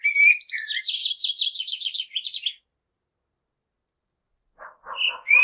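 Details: Common blackbird song that runs into a fast, rattling series of high twittered notes, then silence, then a softer buzzy chatter and a rising whistle.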